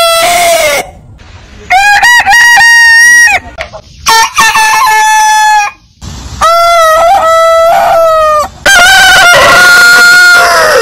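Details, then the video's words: Roosters crowing one after another: several long harmonic crows with stuttered starts and sustained, slightly falling endings. The last crow is raspier and noisier than the rest. "Biggest Rooster Sound Alarm - Long Roosters Crowning Suara Ayam Berkokok Panjang"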